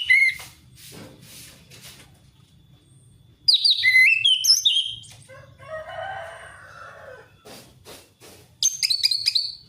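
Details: Orange-headed thrush in open, forest-style song, played to prompt a hesitant thrush to sing: bursts of rapid slurred whistles separated by pauses, with a lower harsh rasping sound midway and clicking noises at the start.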